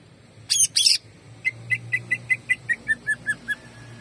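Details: Greater green leafbird, known locally as cucak ijo, delivering jamtrok song: two loud harsh bursts, then eleven short whistled notes repeated rhythmically, each slightly lower in pitch, with faint low rumble behind.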